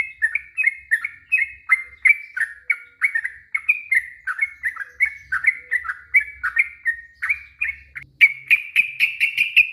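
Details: Bubbly chirping warble (ropel panjang) of a yellow-vented bulbul, played to provoke other birds: rapid, evenly paced slurred notes, closing with a burst of higher, sharper repeated chirps.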